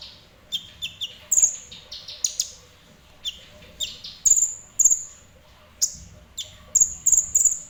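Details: High-pitched chirping from a kolibri ninja sunbird, singing fairly actively: piercing tweets and quick twittered doublets, spaced irregularly with short silences.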